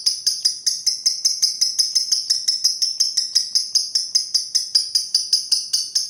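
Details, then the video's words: Pastel green lovebird performing the extended ngekek trill, an unbroken chain of fast, piercing clicky notes repeated evenly for over six seconds, high and metallic like a jingling bell. "love bird ngetik sambung ngekek pastel hijau"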